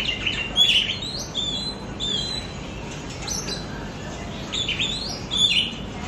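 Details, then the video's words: Lure song of an oriental magpie-robin, used so pet birds sing more and pick up new phrases: short bright whistles and chirps in loose groups near the start, around two seconds and again near five seconds, with steady background hiss. "PANCINGAN KACER BAHAN BARU BELAJAR BUNYI"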